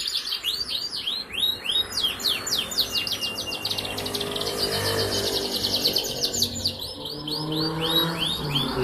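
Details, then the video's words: Four-month-old canary recorded on 11 August 2021, singing to prompt other canaries: rapid rolling trills of high upslurred notes, repeated in fast series, over steady background noise. "pancingan kenari muda supaya rajin bunyi"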